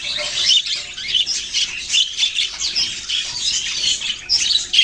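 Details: Budgerigars, Australian parrots, chirping: dense overlapping squawky chatter and short chirps, continuous with no clear pauses.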